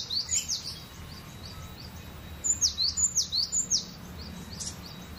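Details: Cinereous tit singing freely and relaxed in the gacor style: a burst of about six sharp, high, slurred whistles, alternately falling and rising, after a short opening pair, over a faint low hum.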